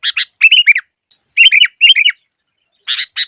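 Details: A Sooty-headed bulbul gives lively chirping phrases, prepared as training song for trapping lure birds. Clusters of three or four quick, down-slurred, fluty notes repeat after short gaps in an otherwise quiet background.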